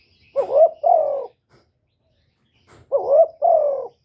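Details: Spotted dove (cu đất) giving two coo phrases, each a wavering upslurred note run into a long falling hollow coo, with a silent gap between and a faint tick or rustle.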